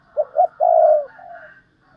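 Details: Spotted dove used as a decoy, thúc lợi cốt style: two short hoots and a sustained low coo, followed by a quieter trailing note and a faint hum in the background.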